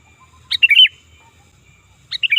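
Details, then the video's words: Kutilang, the sooty-headed bulbul, giving a loud call for luring and tutoring birds: a sharp high note then a rapid warbled twist, one full phrase followed by the start of another after a pause. "Suara Burung Kutilang Gacor Ganas Dan Keras Ampuh Untuk Panggilan Dan Masteran"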